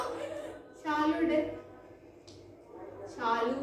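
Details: An African grey parrot talks, saying phrases such as "hello": two short speech-like phrases about two seconds apart, with a steady low hum beneath.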